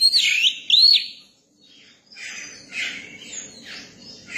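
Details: Caged Oriental magpie-robin, newly caught and being tamed to people, sings two arched, looping whistled notes, then after a short silence a series of harsh, raspy, scratchy notes.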